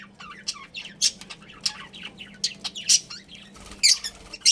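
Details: Short budgerigar squawks and piercing chirps spaced about half a second apart, interspersed with softer twittering notes, over low background hum.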